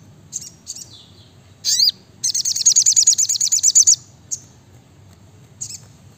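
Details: Brown-throated sunbird (sriganti, sogok ontong) in dense rapid-fire 'gacor nembak rapat' song: soft chips, one loud looping note, then a fast run of roughly fifteen high piercing notes, with scattered chips afterwards.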